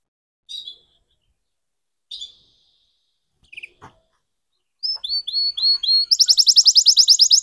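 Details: Red canary practising its song as a young bird: a few isolated chirps separated by silence, then a run of short whistled notes building into a fast, high, repeated trill.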